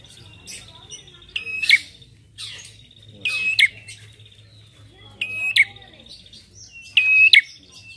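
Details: Prinia lure recording made for training songbirds: short bursts of sharp, buzzy chirps with a thin whistled tone, about every two seconds, over a low steady hum.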